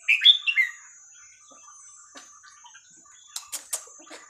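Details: Red-whiskered bulbul singing the hua krok khayao khuat song style, used for teaching young birds: a bright, rapid three-note whistled phrase stepping up then down, followed by quiet chatter and a few sharp high clicks, with a constant thin whine.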